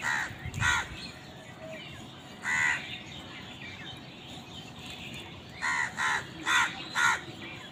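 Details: Crows fighting for food give harsh, raspy caws, a single caw followed after a pause by a second one, then a rapid burst of four caws near the end, over steady background hiss and faint small-bird chirps.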